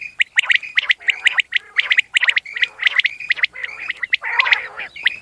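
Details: Common quail calling steadily: dense runs of sharp, high, clipped notes on a near-constant pitch, with a few rougher, gargling notes in between, continuing almost without pause.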